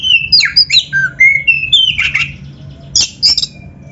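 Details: Kacer of the black-breasted form singing a rich canary-style fill: a run of clear whistled notes stepping up and down, ending in a couple of harsh, high chatter bursts.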